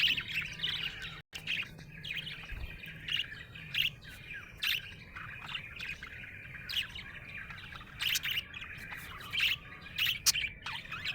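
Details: Happy budgerigar chirping, lively scratchy chatter with short bright chirps and clicks repeated about every half second, briefly cut by a moment of silence early on.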